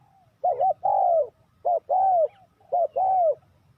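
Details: Spotted dove kept as a trapping lure for wild doves, cooing in repeated pairs: a brief double-humped note, then a drawn-out falling coo, three pairs at a steady pace.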